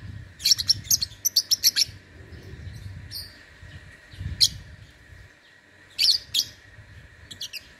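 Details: Lovebird competing in an online song contest, Singkawang, West Kalimantan: a fast run of clipped high chirps, then scattered single and paired notes, against low rumbling noise and a steady hum.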